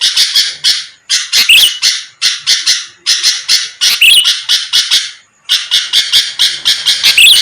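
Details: Sooty-headed bulbul calling to provoke rival birds into a fast reply: clusters of harsh, gritty bursts separated by short silences, with curling high whistled notes appearing inside several clusters.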